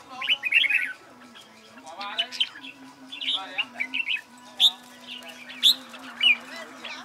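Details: Red-whiskered bulbul practising contest song, giving scattered whistled phrases and single sharp chirps over a steady low droning hum and a faint tonal background.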